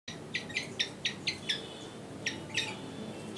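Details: One-year-old flycatcher during singing training: short, sharp high chirps repeated about every quarter second, a brief pause, then a few more notes. The sound is faint over a low background hiss.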